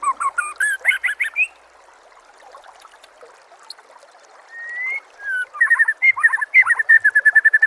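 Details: White-rumped shama song used to get other shamas singing: quick repeated notes, a quiet pause, a long clear whistle, then a loud rapid series of chattering notes.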